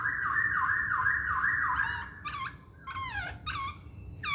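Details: Masked laughingthrush song for provoking other birds to sing: a fast undulating whistle repeated for two seconds, then a few loud downward-swept notes with gaps.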